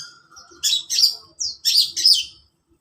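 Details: Long-tailed shrike in the morning: a faint thin note, then five loud, harsh, buzzy chirps in quick succession, with a brief pause midway.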